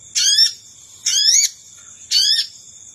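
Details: Sogon lure call meant to draw in wild birds. Three brief rasping notes, each with bright rising overtones, are spaced roughly a second apart, with a constant thin high tone behind them.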